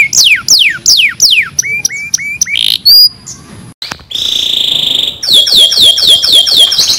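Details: Canary song used as a training recording to help other canaries sing better: loud falling whistled sweeps repeated quickly, short buzzy notes, a steady trill, then a fast high rolling trill of rapid notes.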